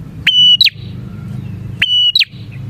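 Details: Two strident phrases from a bar-winged prinia, a lure recording for catching prinias. Each phrase holds a level piping whistle, then breaks into a short jerky flourish, repeated after about one and a half seconds.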